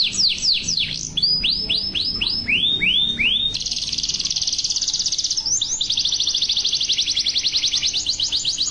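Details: Singing yellow canary: quick descending whistled slurs in a rolling series, followed by a long, very rapid rattling trill that pauses briefly and resumes.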